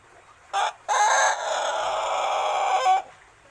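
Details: Adolescent Pelung chicken, a six-month-old male only beginning to crow, delivers a clipped opening syllable, a gap, then a drawn-out rough crow held for about two seconds with a brief rise at the end.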